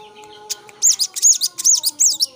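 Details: Young sooty-headed bulbul singing a lot, in a varied, clear 'ngeplong' style: a burst of loud, high, arched whistled notes repeated in quick succession after a short quiet start, with a faint steady hum beneath.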